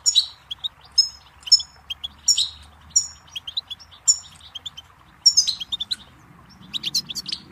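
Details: Goldfinch song meant for teaching chicks: a lively run of high twittering notes and clipped buzzy phrases, repeated with varying rhythm. It ends in a denser burst of chatter over a faint low hum.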